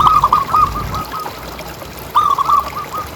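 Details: Captive local zebra dove, a keen caller, used to coax other doves into calling. A quick bubbling phrase of rounded coos trails off softly, then after a pause a second bright, rolling phrase starts.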